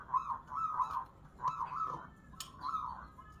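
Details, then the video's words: At a local singing contest, a zebra dove delivers four mellow, bubbling coo phrases in quick succession, each wavering up and down in pitch, with short pauses between them and a single sharp tap partway through. "kontes perkutut lokal"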